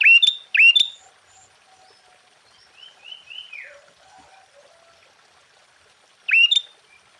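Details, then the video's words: Energetic song of a sooty-headed bulbul, played to rouse rival bulbuls: two sharp, ringing whistled notes open the clip, followed by a quieter liquid gurgling phrase and a lone bright whistle a few seconds later. "Suara Burung Kutilang Gacor KUTILANG FULL ISIAN Ampuh untuk menaikkan Mental EMOSI Kutilang Lain"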